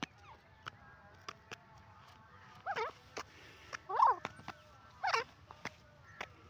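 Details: Teetar or francolin wandering freely outdoors gives three loud, wavering, twisting call notes about a second apart, mixed with sharp clicking taps throughout and a faint hum behind.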